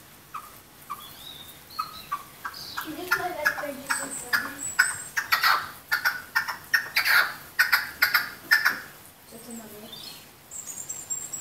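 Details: Tame red-legged partridges calling to each other: a run of harsh, chuffing notes repeated in quick rhythmic bursts, building in loudness around the middle, then easing off, with faint higher chirps between them.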